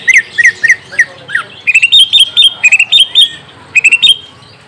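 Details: Song to lure a young green leafbird into calling back: lively sequence of loud, sharp whistled chirps, some down-slurred, delivered in quick clusters with brief pauses.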